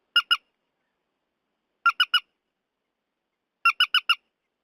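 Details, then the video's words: Purple swamphen calls, a recording meant as a lure for night netting: short bursts of harsh, nasal squawking notes in groups of two, then three, then four, spaced roughly two seconds apart against complete silence. "Tiếng chim Trích Ré"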